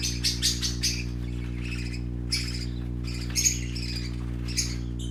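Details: Playing parakeet chicks with colorful plumage produce shrill, buzzy squawks and chirps in uneven clusters separated by short gaps, against a persistent low mechanical hum.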